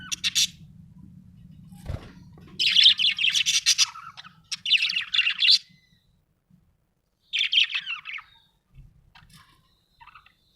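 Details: Happy budgie chirping in bursts of rapid, chattering high notes separated by pauses, some buzzy and warbled, over a faint low hum early on and brief quiet gaps.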